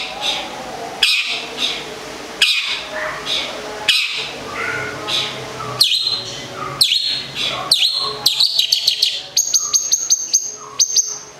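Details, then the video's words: Long-tailed shrike, a local Gedong Songo cendet from Central Java, with rough scratchy bursts that give way to a fast run of sharp, high ticking notes, over a low background hum. "cendet lokal Gedong songo (jawa tengah) kicau"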